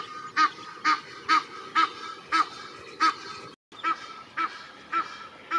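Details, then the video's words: Repeated honks of an Egyptian goose, member of a resting family with one gosling, Parc de Monsalut at Cestas, France, in spring 2023; about eleven strident nasal calls in a steady series, a brief pause midway, faint background hiss. "Ouette d'Egypte, famille, cri"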